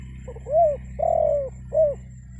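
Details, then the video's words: Spotted dove kept as a decoy, cooing to attract answering wild birds. The phrase has a soft pickup note, then a short coo, a long sustained coo and a brief final coo, deep and gentle, with continuous low hum. "SUARA PANGGILAN TEKUKUR PIKAT, BURUNG HUTAN PASTI NYAHUT"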